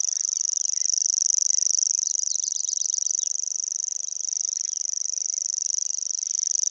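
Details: Common Grasshopper Warbler reeling by the Vistula near Gdańsk, singing nonstop with open bill: a continuous high, insect-like mechanical trill of very fast even pulses, unbroken throughout, with faint chirps of other birds beneath.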